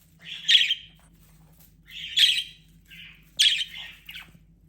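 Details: Pet budgie near a Christmas tree at Christmas time gives harsh, chattering squawks in short bursts, roughly every second or so.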